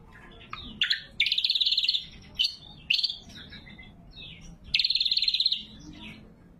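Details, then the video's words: Loud, sharp lesser green leafbird song for luring wild birds: swooping chirps lead into a fast buzzy trill, then short sharp notes and a second long trill. "Suara Burung Cucak Kombo Gacor | Masteran & Pikat Cucak Kombo"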